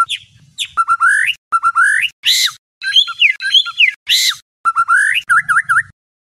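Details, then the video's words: White-rumped shama at night, used to train a contest bird: separated phrases of rising whistles, harsh noisy bursts and quick down-up slurred notes, ending with a short run of clipped repeated notes. "Murai Batu, Pancingan Malam untuk Menjadi Fighter Sejati"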